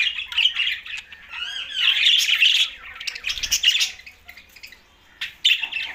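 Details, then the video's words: Green budgies warbling and squawking in quick, scratchy phrases with rapid chirps. A loud stretch in the middle gives way to a quieter pause, then a sharp final burst. "Green Budgies Talking"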